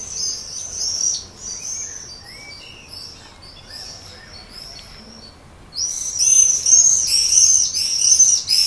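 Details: Common swift at a terracotta nest pot under a terrace roof, Leuven, May 2016 evening, attracting a partner; shrill screams, a quieter pause, then a loud burst of rapid harsh trilling.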